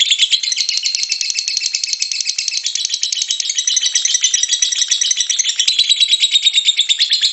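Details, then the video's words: Lovebird ngekek-style song, used as a lure to prompt other lovebirds to sing. A long, dense, rapid chattering trill, high-pitched and continuous, with fast buzzy pulses running without pause throughout, in a small indoor space. "BURUNG LOVEBIRD PASTI BUNYI MENDENGAR VIDEO INI.. LOVEBIRD SINGING"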